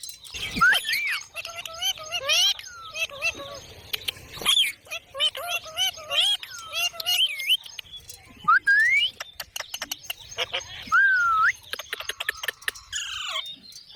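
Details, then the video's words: Parrot giving a busy series of clear whistled and rising harmonic calls, some wavering and looping, with sharp clicks and short chirps between them and a faint low hum underneath. "Parrot Natural Sounds Compilation | Parrot Talking Videos/ Voice|Mitthu ki awaaz|Parrot ki awaaz"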